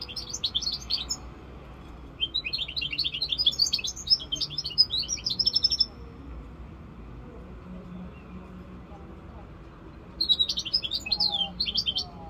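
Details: Song of a goldfinch mule, a hybrid aged five months: three bursts of rapid, high, scratchy twittering, the longest about three and a half seconds, separated by quiet gaps with faint background hum.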